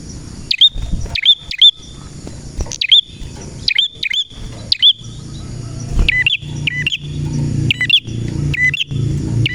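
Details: Chattering song of a male red prinia (prenjak merah): strings of high, sharp two-note chirps roughly every half second, with clicking snaps. Faint low rumble, like a passing vehicle, grows near the end.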